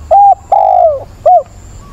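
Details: Decoy spotted dove cooing to find a mate, recorded 17 September with a mature bird's voice: a short low coo, a longer coo sliding downward, then another short coo, loud and close against a quiet background.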